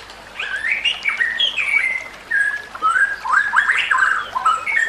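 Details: A white-rumped shama sings a training song for other shamas: varied mid-pitched whistled phrases, slurred up and down, delivered in loose clusters with short gaps.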